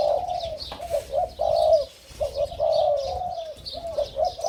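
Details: Young hybrid Spotted Doves of the 'sai din' line, about five months old from the first clutch, kept as a pair, crowing: low rolling coos repeated in bursts with short gaps, one longer drawn-out phrase in the middle.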